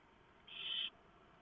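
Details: Barn owl at a nest at 3:59 AM on 3 November 2015, as the male delivers a huge mouse and the female shreds it for the owlets; one harsh, rasping hiss lasting under half a second over steady background hum.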